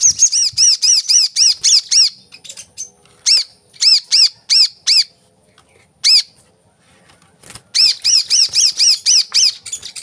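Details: Lure recording of a coconut sunbird for captive birds: clusters of high, arched chip notes in quick bursts separated by brief silences, repeated several times.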